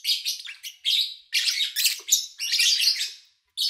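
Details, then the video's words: Pet lovebirds chirping, recorded in August 2019 with little engine or human noise: nearly continuous, grating, high-pitched chatter of several birds, swelling into loud dense bursts before a brief silence. "Sounds of Lovebird Chirping"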